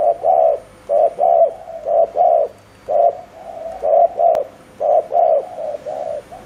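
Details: Spotted dove decoy bird giving fast 'gù' cooing meant to provoke and lure wild doves: low, hollow coos in pairs, a short note then a longer one, about one pair each second, with brief pauses.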